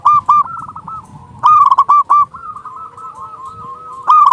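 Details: Zebra dove of local stock with a strong voice, used to lure doves: loud bursts of fast, stuttering coos repeat three times, broken by gentle rolling coos of other doves in the background.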